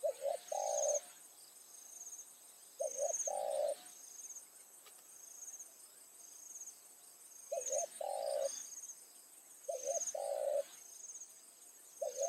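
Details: Spotted dove used as a decoy, calling in the evening to lure wild doves during trapping in Thai rice fields. Low cooing phrases of two short notes and a longer rolling coo, repeated every two to three seconds. A steady high insect whine runs throughout.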